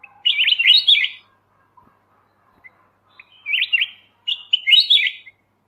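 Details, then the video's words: Kutilang emas mata putih bulbul master recording for training songbirds, with three fluty, bubbling phrases of tumbling notes, the first followed by a long pause before two come close together. "suara masteran Kutilang emas mata putih"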